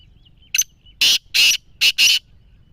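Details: Black francolin (kala teetar) giving a loud, harsh, rasping call: a short sharp opening note, then four grating syllables delivered in uneven pairs over about one and a half seconds, with a soft thin whistle underneath and a quiet background.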